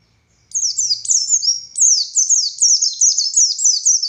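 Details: Kept buxtoni Oriental white-eye singing energetically: an unbroken series of high, piercing, sharply falling whistled notes, several each second, starting after a brief quiet moment, with no other sound.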